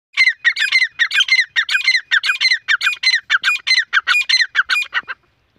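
Black francolin giving harsh, grating squawks in a fast, uneven series, about two per second, loud and close with nothing else audible.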